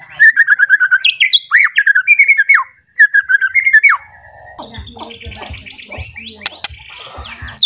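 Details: Emotional white-rumped shama seeking a rival, delivering fast rhythmic whistled phrases around mid pitch for four seconds, then a harsher, buzzy, scratchy passage with high thin notes and low rumbling underneath.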